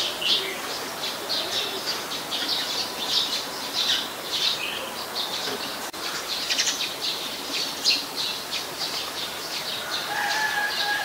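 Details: Eurasian tree sparrow flock noise from Ubon Ratchathani, Thailand, recorded 10 May 2020: continuous high chirps and chatter, a sharp click midway, and a lower whistled note near the end.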